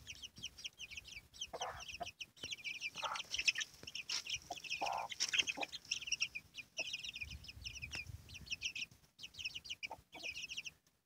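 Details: Domestic hen with her chicks: a dense chorus of shrill, downslurred peeps from many chicks runs throughout, broken by a few lower, harsher clucks from the hen around the middle, with brief dull knocks between calls.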